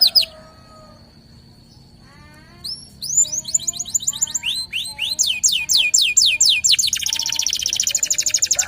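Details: Local canary in full vigorous song, a lure for prompting other birds: quiet start with a thin steady tone, then loud high slurred whistles in quick succession ending in a fast buzzy rattling trill.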